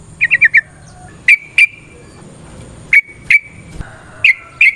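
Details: Sooty-headed bulbul, a lure recording in ropel variasi nrotok ngecuplik style to prompt other bulbuls to sing: a quick run of four chirps, then pairs of sharp, ringing notes repeated after roughly one-second gaps.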